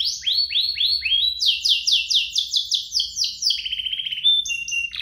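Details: Pair of canaries singing, intended as a lure to make canaries sing and as tutor material for young birds: a few slow rising swoops, then a faster run of upsweeps, a dry rattle, and clear flat whistles.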